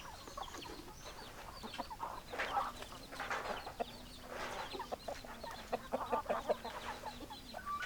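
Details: Hens and roosters of a chicken flock clucking together, a dense stream of short clucks and squawks rising and falling over a constant low hum.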